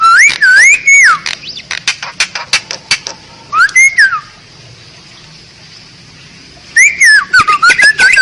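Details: Asian pied starling song, a master recording used as a lure: loud looping whistles, rising and falling, mixed with sharp clicks, then a few seconds of quiet before another whistled phrase with rapid clicks.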